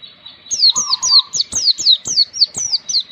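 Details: Training recording of Oriental white-eye song for young birds, meant to bring on ngalas singing: steady series of high, bright down-slurred notes about three per second, with a short lower buzzy whistle underneath near the start.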